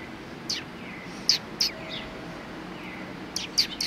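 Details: A few high, clipped chirps from Eurasian tree sparrows resting after a meal on 26 January 2020, with a quiet gap between two short clusters.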